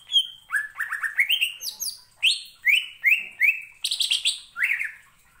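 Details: Greater green leafbird (Chloropsis sonnerati) sings a lively run of varied, high whistled and chirping notes, some slurred up or down, two or three each second, with no other sounds; a song used to provoke other birds to sing.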